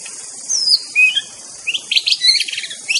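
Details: White-rumped shama singing in the wild: a high thin sliding whistle, then a quick series of sharp high chirps and trilled notes, over a constant insect drone.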